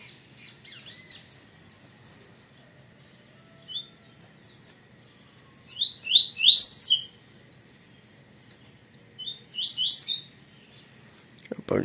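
Double-collared seedeater singing two short bursts of bright, rapid, slurred high notes with a pause between them, over a faint low background hum.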